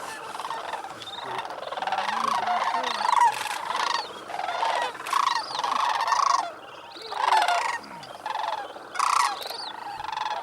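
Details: Wild sandhill cranes at the North Crane Pool, Bosque del Apache National Wildlife Refuge, New Mexico, shortly after sunrise on a freezing 18°F November 28, 2010, after roosting on water overnight. Rolling, trumpeting calls come in bursts from several birds, with quieter stretches between.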